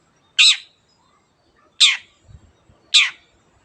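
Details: Long-tailed shrike (cendet) in vigorous gacor singing, meant to set quiet birds singing: three harsh, rasping high notes spaced over a second apart, with a few faint low thumps between them.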